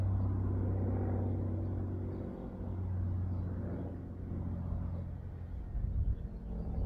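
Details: Steady low engine rumble of a passing vehicle, rising and fading, with no animal calls heard.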